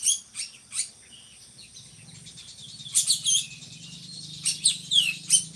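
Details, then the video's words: Drongo in full song, a bird used as a tutor for training other songbirds; bursts of high, harsh chattering notes with a few short whistles, separated by pauses, over a faint low hum. "SRIGUNTING GACORRR"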